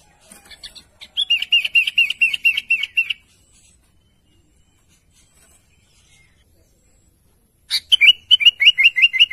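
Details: Sooty-headed bulbul calling to companions: a rapid run of about ten clipped, even chirps, a long quiet gap of several seconds, then another quick matching series of short notes.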